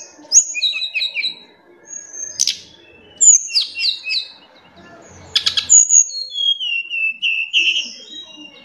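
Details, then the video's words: Sunda robin (tledekan gunung) song, presented as good for the afternoon: high, clear whistled notes and short buzzy trilled phrases, then long drawn-out whistles sliding downward in steps, with brief sharp clicks in between. "suara tledekangunung bagus untuk sore hari"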